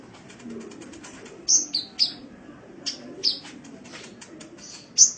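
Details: Kolibri (sunbird) in a training recording for cage birds from Indonesia: very high, thin whistled notes and short sharp chirps, scattered irregularly over a faint low background hum.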